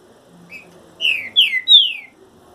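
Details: Green-winged saltator in moult delivering one phrase of three strong whistles, each falling in pitch, the final note drawn out, after a faint short note at the start.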